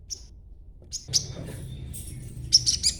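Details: Young crimson sunbird, still green, chattering as a lure to draw replies from other birds; scattered sharp high chirps, ending in a quick group of three bright notes.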